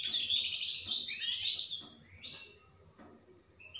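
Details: Goldfinch singing a dense rush of high twittering, tinkling notes that fades into a few soft chirps.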